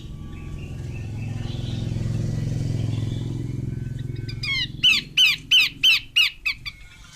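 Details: Engine-like rumble fills the first half, then a female Horsfield's babbler breaks in with a regular series of six harsh, rasping notes, repeated roughly three times per second.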